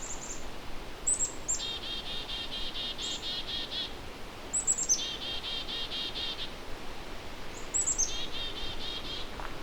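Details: In late May at McGregor Point Provincial Park on Lake Huron's eastern shore, Ontario, annoyed Black-capped Chickadees give three agitated chick-a-dee calls (thin high notes, then harsh buzzy dees) near a dead birch with a hidden nest hole, possibly holding young; background hiss.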